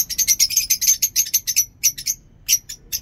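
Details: Lovebird kept in a home aviary, giving rapid high-pitched chattering chirps in dense bursts, then sparser sharp notes after a brief pause.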